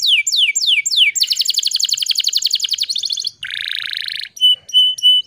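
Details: Canary lure song used to restart canaries that have stopped singing: a few falling sweeps give way to a rapid dense trill, then a buzzy lower rattle, and finally short spaced high whistled notes.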